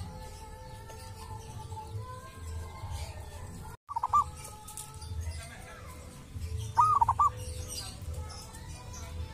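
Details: Zebra dove of local wild stock at a sacred tomb with a distinctive voice; two cooing phrases, the first faint after a brief cut, the second clearer with arched note and stuttered ending, over rumbling noise.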